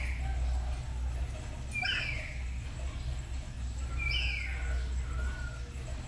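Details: Two black-capped lories kept as home pets, practising song together in the morning: two bright, rising whistled notes about two seconds apart, plus softer short whistles, against a low droning hum.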